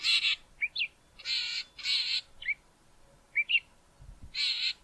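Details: Male Southern fiscal near Grahamstown on Mountain Drive giving its harsh call: broad grating bursts alternating with short rising whistled notes, no other sounds.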